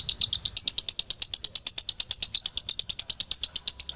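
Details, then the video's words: Male lovebird of the Galendo line from Ciamis singing its dobelan: a long unbroken run of rapid, evenly spaced, shrill high chirps, each a bright metallic tick, kept up without pause throughout. "SUARA ASLI DOBELAN LOVEBIRD JANTAN"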